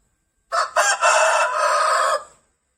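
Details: A single rooster crow: two short choppy opening bursts, then a sustained rough, strained note that holds steady before fading, in a quiet setting.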